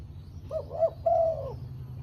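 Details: Zebra dove call played as a lure for attracting and trapping wild birds: a short series of soft, low cooing notes, two brief rising coos then a longer sustained coo, over a steady low hum.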